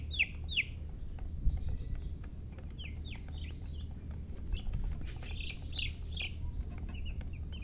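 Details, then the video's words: Scattered high, falling chirps of baby chickens in small clusters, separated by pauses, over a noticeable low-pitched background rumble. "silly chicken chirping sounds with murgi hen color chicken"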